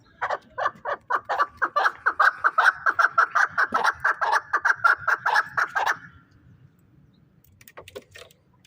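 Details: Fighting chukar partridge from Shahritus, Tajikistan, giving a steady run of rapid, clucking chuk notes, about two or three per second, for six seconds, then a few faint scattered notes.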